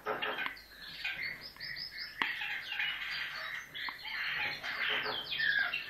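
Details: Common kestrel chick, fallen from a rooftop nest in a city centre, being hand-fed at a rescue station in Hungary; shrill, chattering begging calls repeated in rapid squeaky bursts, with soft handling and feeding noises.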